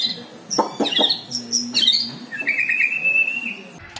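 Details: White-rumped shama (murai batu) singing with tembakan, mimicked lovebird and prenjak (prinia) phrases: sharp clicks, then quick rising whistled slurs and a long, steady, slightly wavering high whistle.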